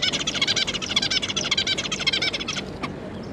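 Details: Zebra finches, a pair with three juvenile young, calling in a rapid nasal chatter of buzzy stacked notes, about two per second and crowding together for over two seconds, over a low background hum.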